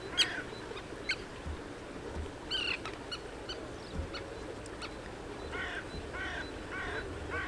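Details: Common terns recorded with a RODE VideoMicro microphone: faint, distant harsh downslurred calls, a few early and a repeated run near the end, over steady broadband background noise.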